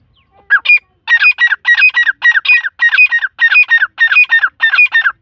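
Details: Iranian grey partridge chicks calling: loud, harsh, squawking notes in quick runs of two or three, repeated steadily at about 100 per minute, with short silences between bursts and no other sounds.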